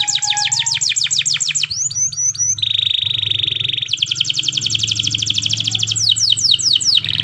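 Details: Canary song in the morning, used to prompt other canaries to sing: rapid repeated high trills, a brief low whistled note, a long buzzy steady rattle, then fast sweeping trill phrases and descending slurred notes.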